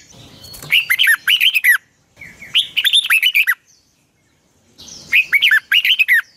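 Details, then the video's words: Morning training song of a red-whiskered bulbul, a lure recording in the long twisted double-voice style, 2020: three loud phrases of quick, looping whistled notes with crisp high clicks, separated by short silences. "Luyện chào mào hót sáng 2020, Giọng kép xoắn dài Quá hay"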